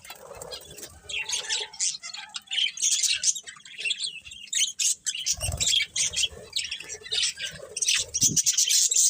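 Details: Pet budgerigars chattering in a busy flock, rapid scratchy chirps and short squawks tumbling over one another, with brief soft thumps and a faint low warble in between.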